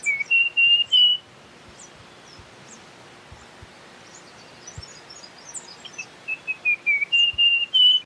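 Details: Two whistled phrases from a russet-crowned warbler, the first ending in long level notes, the second a quickening run of short notes stepping down then climbing into sustained whistles, faint high chips in between.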